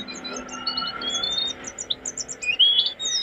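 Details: Master recording of jongkangan song for training caged birds: fast high chirping notes with a thin drawn-out whistle and a rising slurred phrase near the end.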